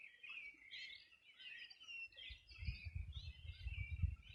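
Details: Birds singing at the edge of the Rio Bueno in Region de los Rios, a summer morning in 2020: steady overlapping warbled chirps, joined midway by a low rumbling wind or water noise.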